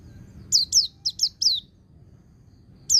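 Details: White-eye song of the ngecir linked with ngalas style, meant to bring young birds into song: five quick high descending whistles in a short run, a pause, then one more falling note over faint low hum.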